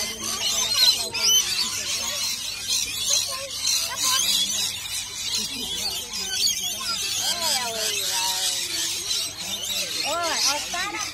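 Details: Many rainbow lorikeets screech and squeal together in a constant high, grating chorus with no pauses; human voices murmur underneath, rising and falling across the recording.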